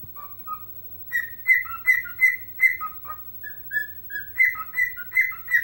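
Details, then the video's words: Pet bird dancing while whistling its version of Chelsea Dagger; low paired whistles open, then a lively sequence of strong high notes, a softer run of single tones, and a louder closing phrase. "Singing and Dancing Ike Bird"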